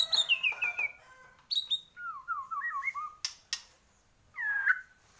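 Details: A Bornean white-rumped shama sings vigorously. It gives clear whistled notes stepping down in pitch, then a rolling series of mellow warbled notes, broken by sharp clicks and ending with a rich slurred whistle. There is faint room noise.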